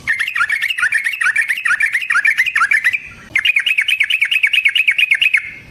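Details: Yellow-vented bulbul in long rolling 'ropel' song used as a lure to make other bulbuls sing: fast chattering bursts of bright, warbled notes, about two per second, a brief pause near three seconds, then the rapid run resumes.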